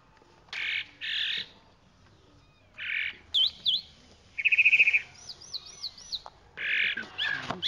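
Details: Chalk-browed mockingbird song mixing harsh, buzzy bursts with a quick trill and wavy, looping whistles, phrases separated by brief gaps.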